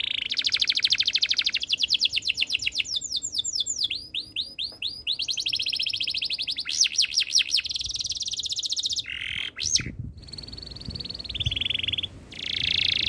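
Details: Canary delivering a long varied song: quick repeated trills and buzzy rolls, a passage of looping whistled sweeps, then flatter sustained whistled tones near the end.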